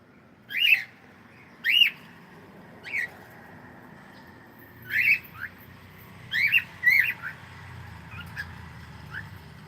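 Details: Cockatiel singing: loud, clear whistled notes with bright overtones, each rising then dropping, given singly or in quick pairs about every second or two, with short softer notes between and a quiet room hum beneath.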